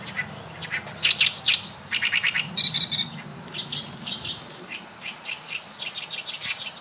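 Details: Loud Oriental reed warbler song recorded in May 2012 at the Saitama primrose park, Japan: gruff, chattering strings of rapid repeated harsh notes in pulsing bursts, one short grating rattle standing out in the middle.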